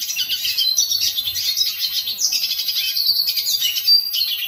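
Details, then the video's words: Hooded siskin singing a fast, unbroken warble of high twittered notes, broken by an abrupt upward jump and brief clear whistles near the end. "Hooded siskin song - Cabecita negra"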